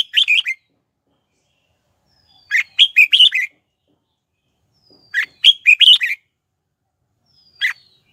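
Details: Lure red-whiskered bulbul singing to attract wild rivals to fight, repeating short rollicking phrases of four or five liquid, chirpy notes about every two and a half seconds, plus a single clipped note at the end.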